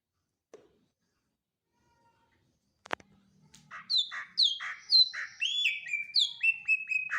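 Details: Greater green leafbird in a rich, fast song of varied whistles, slurred falling notes and harsher chatters, building after a sharp click, with a faint low hum in the background.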